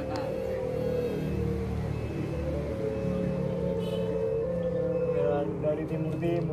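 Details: Steady ringing tones, like a singing bowl, sound over a low rumbling hum and some background voices, with no clear animal call.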